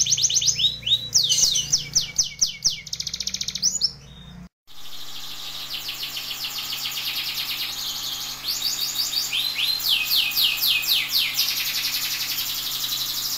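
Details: Canary in gacor style, sung as tutor song for other canaries. Fast trills of descending sweeps, then an abrupt cut and a hissy stretch where similar rolling phrases continue more faintly.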